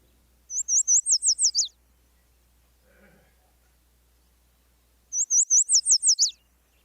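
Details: Yellow Warbler song, phrased like 'sweet, sweet, I'm so sweet': two renditions about four and a half seconds apart, each a quick string of about seven high, slurred whistled notes that tapers off and drops at the end; a faint low sound between.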